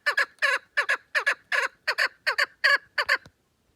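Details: Chukar partridge calling: harsh, clucking double notes, paired chuk-chuk bursts repeated about once per second for three seconds, then stopping; clean recording with no other sounds.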